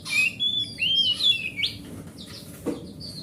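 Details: Big-bodied forest oriental magpie-robin, grade A, song used as a lure for a silent magpie-robin: a sequence of clear whistled slurs rising and falling, then a fainter high note after a short click.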